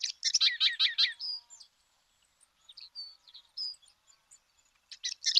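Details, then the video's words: Sedge Wren in Argentina singing: a dry, buzzy burst of rapid chattering notes lasting about a second, a scatter of thin high notes, then another harsh chatter at the end. "Ratona aperdizada"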